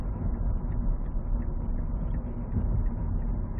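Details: Steady deep rumbling noise, like a large engine or rocket roar, continues throughout with no animal calls.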